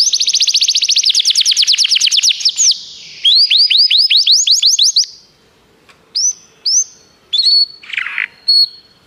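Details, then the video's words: Canary song recorded for training canaries: a fast high rolling trill, then a slower series of rising whistled notes, followed by short separate chirps and brief phrases with pauses. "O melhor canário canário para treinar seu canário"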